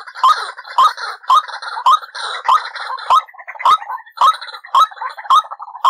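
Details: Trapping lure call of a white-breasted waterhen, with harsh nasal notes repeated roughly twice a second in a steady rhythm. Each note is sharp and croaking, and a few fainter calls fill the gaps.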